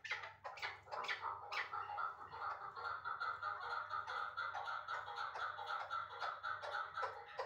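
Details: Chukar partridge from Uzbekistan, caught as a young bird last year and now kept in Dushanbe, giving a dense, continuous run of harsh chuckling notes. A steady tonal hum runs underneath, with a few louder bursts near the start.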